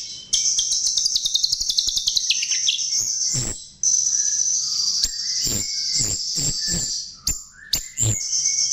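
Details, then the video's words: Chestnut-tailed starling, lure song: a fast descending chatter of high chirps, a loud clack, then a long high whine broken by a few sharp clicks and a low whistle. "Pancingan Jalak RIO RIO"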